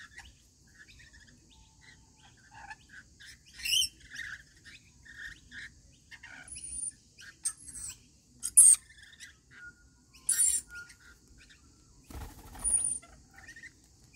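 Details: Rainbow lorikeets at daily feeding give scattered loud, grating screeches and thin piercing whistles, with quieter chatter between. A sudden broadband knock comes near the end.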